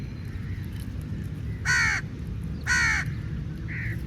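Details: Crow calling for food: two loud, harsh, harmonic caws about a second apart, then a fainter, shorter call near the end, over a steady low rumble of background noise.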